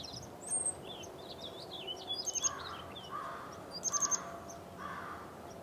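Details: Purple Finch singing on an early-spring walk on March 8, 2010, a rich, rambling warble of high, quick notes, with harsh crow-like caws repeating in the background.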